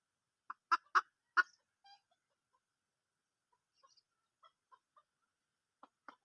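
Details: Wild junglefowl hen, 2022: three loud, clipped clucks close together, a thin squeaky note, then scattered faint soft notes and a few more short clucks at the end.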